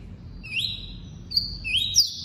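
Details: Double-collared seedeater in tuí-tuí song style, giving three high whistles, each sweeping upward from a lower pitch and then holding steady, spaced about half to three quarters of a second apart, with low background hum.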